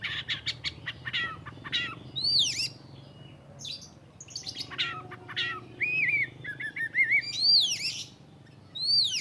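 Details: Oriental magpie-robin singing: a varied mix of sharp chirps, clear rising and falling whistled slurs and high sweeping notes, delivered in bursts with short pauses.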